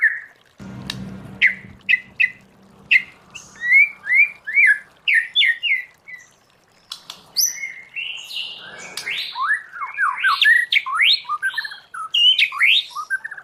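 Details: White-rumped shama singing a wild-style "forest voice" song meant for training captive birds: sharp clipped notes open, then a fast, varied run of whistled phrases with rising and falling slurs and short pauses, a faint low hum early on.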